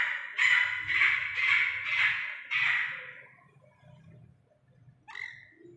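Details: Iranian partridge chick giving a run of five harsh, rasping calls about half a second apart, then a pause and one shorter call near the end; a low background hum continues throughout.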